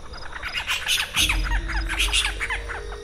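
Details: A spotted owlet at night in Mumbai's Aarey forest, near the edge of the city's housing, gives its distinctive call: a rapid run of harsh, downslurred chirrups over a low rumble and a faint steady hum.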